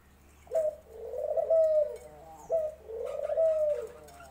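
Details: Cooing of a dove (ghughu): two low, mellow phrases about two seconds apart. Each opens with a short clipped note and then runs into a longer, steady, throaty coo.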